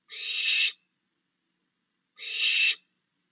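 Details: Two rough, noisy screeches from a barn owl, around two seconds apart, at a backyard site on a June 2022 night where the male keeps bringing food to three recently fledged young.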